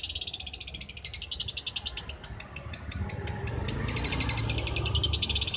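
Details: Champion long-tailed shrike song used as a tutor recording for training songbirds: a fast, rattling run of sharp, high pulsed notes, rising slightly in pitch, then repeated in quick clipped bursts, over a low background rumble.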